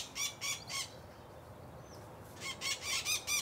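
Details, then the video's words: Macaws on a rural smallholding giving loud, grating squawks, three in a row, a pause with a thin chirp from another bird, then a fresh burst of four or five harsh calls. "Araras aves lindas"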